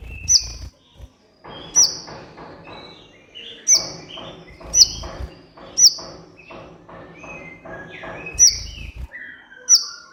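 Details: Kolibri ninja sunbird on a lure track used to provoke captive birds that sing little. Sharp, very high chip notes come every second or so, mixed with short warbled fragments and low thumps.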